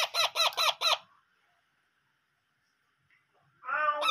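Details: Parrot chicks being hand-fed: four rapid, harsh, pulsed begging calls, a quiet pause, then a drawn-out harmonic squawk at the end; indoor room.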